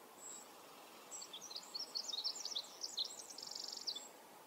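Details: Male Pacific wren in Manning Park forest, July 2020, delivering a fast, high-pitched cascade of squeaky notes and twitters, ending in a quick buzzy trill, against a soft continuous background rush.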